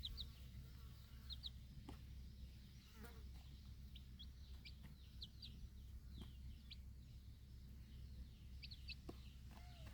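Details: Four young chicks feeding in fresh air near their protective mother hen, backyard flock; steady stream of thin, high, falling peeps, often doubled, with occasional clicks over a strong low hum.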